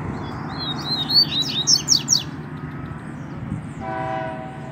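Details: Double-collared seedeater in the wild in Brazilian scrub, with a chick calling nearby. One rapid high phrase of thin rising whistles and sharp buzzy slurs over a low traffic hum, then a long droning horn-like tone near the end.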